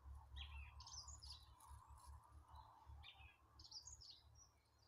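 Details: April birds warming up their song: quick high chirps and twittering bursts in short, irregular groups over a continuous mid-pitched hum and low background rumble.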